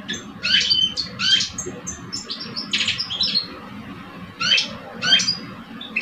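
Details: Singing duel between two caged male European goldfinches, an older bird and a two-year-old. Short bursts of sharp tinkling chirps and twitters, separated by brief gaps, with a steady low hum behind.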